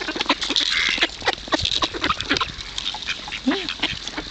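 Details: Ducks being fed at Kirchsee, Preetz, Germany, sound off with choppy quacks and brief squeaky notes, one lower honking note near the end, many birds overlapping.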